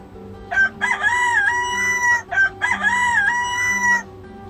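A rooster crows twice, each a loud, ringing cock-a-doodle-doo about one and a half seconds long, over a faint steady hum or background tone.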